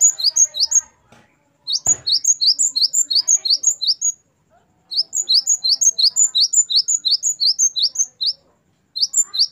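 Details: Great tit 'gacor wucit' song, meant for tutoring caged songbirds: quick strings of sharp high double notes delivered in runs of several seconds, with a single click-like thud near the start.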